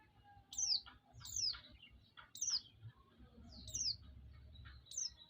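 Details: Lure recording of a white-eye, meant to provoke and excite other white-eyes: five bright, high chirps, each sliding sharply downward, spaced just under a second apart against a low steady hum.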